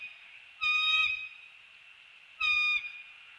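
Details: Wild bald eagle pair at a treetop nest in The Hamlet, early morning of 15 December 2019, on a nest camera during greetings and mating: two clear, ringing, harmonic calls about two seconds apart over a steady background hiss.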